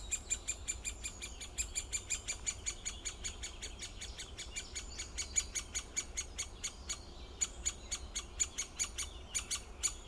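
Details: Long, fast sequence of crisp, high clicking calls from a great spotted woodpecker, notes coming several per second with small gaps, over a faint low hum.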